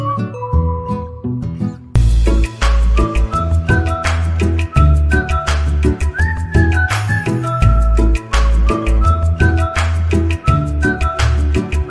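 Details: Upbeat music with a heavy bass line and a steady beat fills the recording, with no animal voice standing out.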